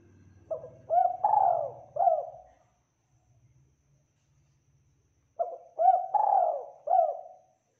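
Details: Spotted dove in full, clear song: two identical four-part cooing phrases about five seconds apart, each a short note, a rising coo, a long swelling coo and a closing coo, with a low rumble under the first.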